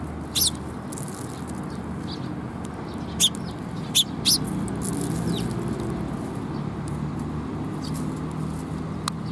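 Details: Sparrows visiting a perch for food on 7 June 2021 give scattered short, sharp high chirps, spaced several seconds apart, against a continuous low-pitched background noise.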